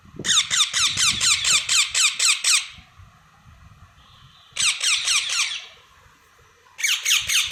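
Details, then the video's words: Baby parrots chirping in long runs of fast, regular raspy notes, three bursts separated by quieter gaps with a soft low background hum. "Baby parrots chirping"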